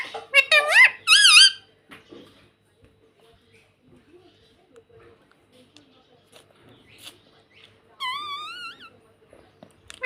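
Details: A pet ringneck parrot bursts out with a quick series of wavering, squeaky screeches, falls quiet for several seconds with faint clicks, then gives one drawn-out, undulating squawk.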